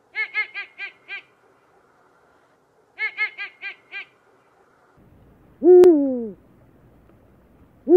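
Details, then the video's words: Eurasian eagle-owl giving a quick burst of five short, harmonic-rich staccato notes, then a second similar burst, followed by a loud drawn-out call that arches and slides downward, with another call beginning at the end; quiet background. "Eurasian Eagle Owl"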